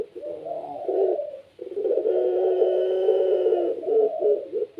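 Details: Vigorous cooing from a captive puter pelung Barbary dove, used to set other doves calling. A short opening coo, a pause, then a sustained throaty rolling coo and two clipped notes at the close.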